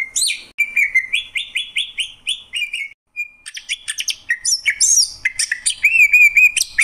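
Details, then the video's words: Greater green leafbird pouring out a fast, varied song: a series of clear repeated whistled notes, a brief pause, then dense chatter, buzzy bursts and high warbled flourishes. "Cucak ijo, suara kicauan burung yang indah."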